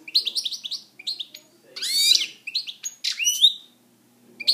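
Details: Caged European goldfinch in full song, fast liquid twitters, a harsh buzzy wheeze in the middle and a clear drawn-out descending whistle after it.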